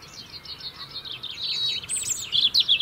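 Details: European robin song from the UK, where the bird sings year-round to hold its winter territory: a thin, high run of quick twittering notes and warbled phrases, growing louder and sharper toward the end.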